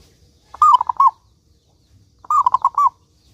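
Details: Local zebra dove singing actively: two bright cooing phrases, each a quick run of rolling, slightly falling notes, separated by about a second and a half of quiet.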